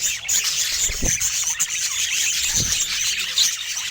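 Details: Pet budgerigar said to be happy: unbroken high, buzzy warbling and twittering, with two soft low knocks at about one and two and a half seconds.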